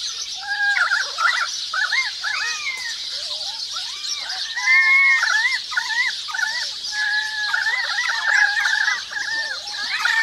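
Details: Currawongs call in a forest with a string of arched, yodelling two-part notes repeated a few times per second, rising and falling in loudness, over a continuous high chirping chorus of sparrows and other birds.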